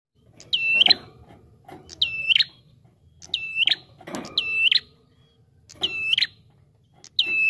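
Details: Bar-winged prinia, recorded as a lure sound for trapping birds, calling actively: sharp clicking onsets followed by a bright, slightly buzzy whistled note, repeated about six times in seven seconds, with a low background hum.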